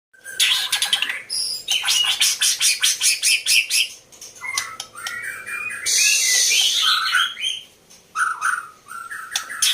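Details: Breeding female white-rumped shama (murai batu), called a fighter bird: loud, rapid volleys of sharp high chips, then slurred whistles and a harsh rasping burst, continuing in varied bright phrases.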